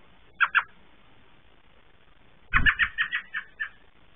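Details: American robin at night, Southern Ontario, Canada, May 4 2022, arriving back at the nest to check her eggs with a quick call: two sharp notes, a pause, a low thump, then a fast run of about seven clipped, chattering notes.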